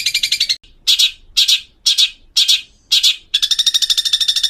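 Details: Long-tailed shrike song as a tutor recording for young birds: loud harsh grating bursts repeated about twice a second, ending in a long rapid rattling chatter.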